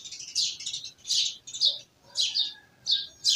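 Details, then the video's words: Village birds giving loud, clustered high chirps in quick bursts, each burst lasting under half a second, with soft lower whistles underneath. "Village Birds Chirping"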